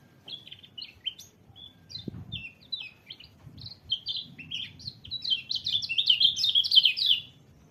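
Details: White-eye song: rapid, tumbling high chirps and short slurred notes that grow louder and denser toward the end, about three notes a second, with faint low rumble beneath.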